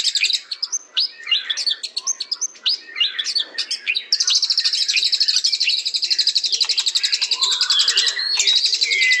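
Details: White-rumped shama song that starts with four seconds of scattered sharp chips and short notes, then breaks into a sustained, rapid, buzzy high trill that runs to the end.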